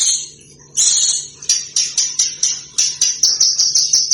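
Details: Small cage bird on an Indonesian master recording for teaching contest birds to copy other birds: a burst of shrill buzzy chatter, then a run of sharp, very high chips repeated about four times a second.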